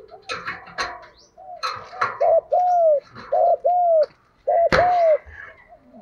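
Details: Spotted dove lure call meant to draw in doves: a series of hollow low coos with a longer drawn-out note, over loud clicks, taps and rustling handling noise.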